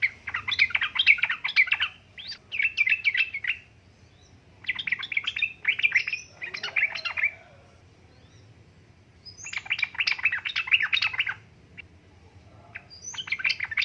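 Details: Sooty-headed bulbul, a female said to be calling a male, giving bursts of bright chattering notes about 1.5 seconds long, separated by short pauses, over a faint low hum.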